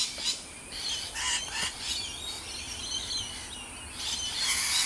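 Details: Rainbow lorikeets at Riverglade Reserve, NSW: dense, high-pitched chattering and squeaky notes overlapping throughout, with sharper screechy bursts near the start and end, over steady outdoor background noise.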